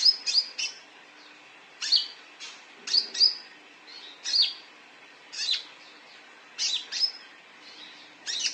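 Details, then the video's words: Calling konin, a lure to get caged birds to answer: bright, high chirps, often in pairs or triplets, with a short whistled trill at the top, repeated roughly every second over a quiet background. "Suara panggilan konin cocok untuk pancingan burung ikut bunyi"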